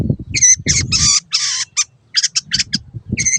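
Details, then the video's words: Long-tailed shrike (cendet) master song to train caged birds: loud grating buzzy phrases and clipped harsh notes in short bursts, brief quiet gaps, faint low rumble. "MASTERAN BURUNG CENDET SANGAT COCOK BUAT CENDET MACET BUNYI ATAU PINDAH JURAGAN"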